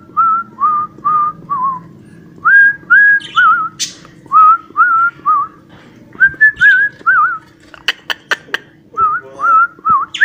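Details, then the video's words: Whistled song copied by a cockatiel: short, pure, tonal notes in quick groups, some dipping or rising, broken by brief pauses, with a few sharp clicks and a faint low hum behind. "COCKATIEL WHISTLE #7 | JOHNY YESS PAPA"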